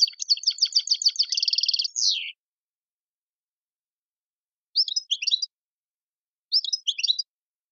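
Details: European goldfinch singing in the tiwawati, mondolin and servati styles, linked to Tizi Ouzou and Tadmait in Algeria: a fast, buzzy, high twittering run ending in a falling slur, then two short, chattering high phrases after a silence.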